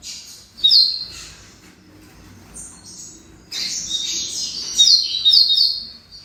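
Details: Double-collared seedeater kept for song tournaments, giving high, fast twittering bursts: a short sharp phrase near the start, then a longer run of quick chirps and trills after a pause, over a faint low background hum.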